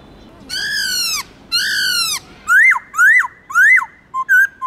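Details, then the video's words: Black-throated laughingthrush performing its many-voiced forest song for training captive birds: two long, rich descending notes, three sharp up-and-down whistles, then two brief short notes. "Khướu bạc má Hót Nhiều Giọng kích trống căng lửa/Luyện khướu bạc má hót giọng rừng cực chuẩn"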